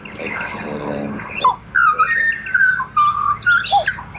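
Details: Australian pied butcherbird song: a rough, noisy start gives way to pure whistled notes, some held and some falling, delivered in short separate bursts.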